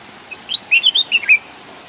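A red-whiskered bulbul gives one brisk phrase of about six bright, whistled notes, rising and falling over about a second, against quiet, calm surroundings.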